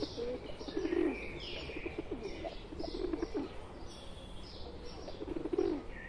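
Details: Pigeons, a pet bird among wild ones, giving low, soft rolling coos in short bursts, with higher chirps and twitters from other birds throughout.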